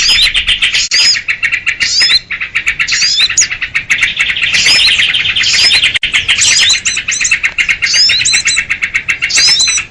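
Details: Noisy sooty-headed bulbul chatter for luring small birds into traps. A steady stream of harsh pulsed chirps runs underneath short, sharp whistled upsweeps that come in clusters, with many birds calling together.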